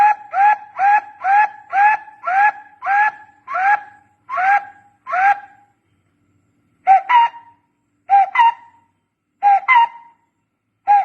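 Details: Barbet sounds used for decoy trapping: a steady string of short, hollow, upslurred hoots, then after a pause, widely spaced pairs of notes with a sharper rising inflection.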